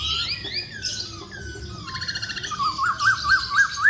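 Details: Vigorous masked laughingthrush song: slurred whistles and buzzy rattled notes, ending in a rhythmic string of loud rising-and-falling whistles about four per second, high chirping behind.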